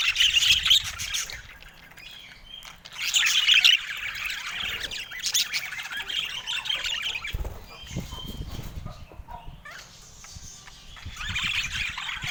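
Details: Several pet budgerigars sing in the sunshine on a San Diego morning: bursts of fast chattering warble alternate with quieter stretches and a soft flutter of wings.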